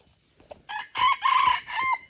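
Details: Red junglefowl from Aceh, used as a lure bird to attract wild birds, giving a short crow: a brief opening note, then two longer strained phrases around one pitch and a falling final note, with no other clear sounds.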